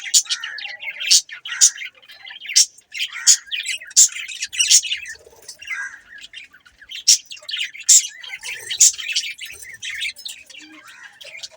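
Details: Budgies giving sharp, bright high chirps spaced about half a second to a second apart, with softer warbling chatter between them.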